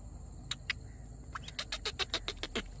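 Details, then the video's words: Black francolin giving a harsh, grating series of about ten clipped notes that quicken into a rhythmic rattle, over a steady high insect hiss and low rumble. "Black Francolin Voice"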